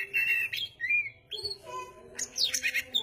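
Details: Oriental magpie-robin, called goci or kacer, singing actively: clear whistled phrases, some level and some sliding, switching pitch every half second, ending in a burst of sharp rising and falling notes, over a steady low hum.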